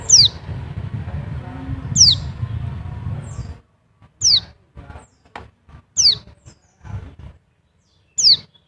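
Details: Oriental white-eye (Zosterops palpebrosus) from Bali giving thin, very high, falling 'tsee' notes about every two seconds, with a low rumble at first; a lure call used to stimulate other white-eyes to call.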